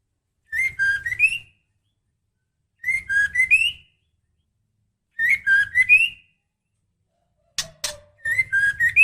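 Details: A female white-rumped shama in breeding condition, calling the male, repeats the same short three-note whistled phrase, dipping then rising, about every two and a half seconds, with one sharp click before the last phrase.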